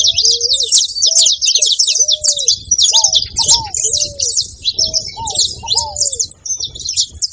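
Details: Saffron finch calling: a dense, unbroken stream of rapid, high, scratchy chirps, with soft, lower, slurred whistles rising and falling now and then beneath it, and a faint low rumble in the background.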